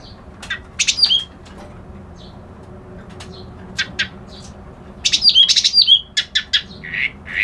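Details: Scattered high chips and a short whistled phrase from a white-browed reed warbler, then a longer loud passage of rapid scratchy notes, fluttering whistles and buzzy trills.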